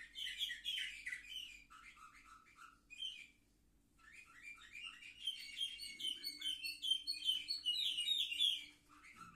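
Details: Young canaries aged seven months, filmed 10 November 2023. They sing rapid twittering phrases and descending chirps, pause briefly, then resume with a long run of fast repeated trilled notes over a faint low hum.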